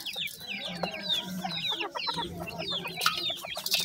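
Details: A brood of grey francolin chicks peeping, rapid high downward-sliding notes in an unbroken overlapping chatter, with a faint low hum beneath.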